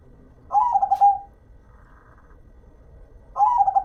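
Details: Local zebra dove, a hobby bird, singing: two short burbling cooing phrases, each under a second, of quick pulsed notes that start slightly higher then level off, separated by about two seconds of quiet.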